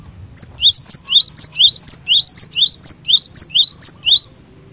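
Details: Glatik batu (cinereous tit) in full 'gacor fighter' song, meant to make other birds answer at once: about a dozen ringing, high two-note whistles repeated rapidly and evenly, each a sharp note dropping to a lower slurred one, over faint background hum.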